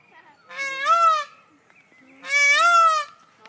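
A male Indian peafowl gives two loud, nasal, wailing calls, each under a second and about two seconds apart, rising then sagging slightly.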